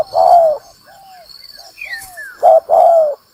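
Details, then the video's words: Spotted dove used as a lure for trapping birds: loud, husky low coo, softer distant coos and a descending thin whistle from another bird, then another short-long pair of coos. "Tiếng chim cu gáy mồi kích bổi đá lụp"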